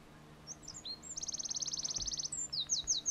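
A Eurasian wren bursts into a loud, high, rapid trill of about twenty metallic notes in a second, framed by thin sweeping whistles.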